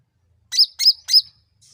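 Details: Sooty-headed bulbul lure song for provoking a response: three loud, bright chirps in quick succession, each sliding down at its tail, after a moment of silence.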